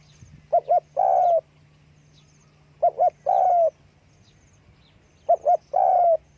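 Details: Spotted dove, calling with wing flapping: three clear phrases, each a double short coo and then a drawn-out descending croo. The phrases come roughly every two and a half seconds against a quiet background.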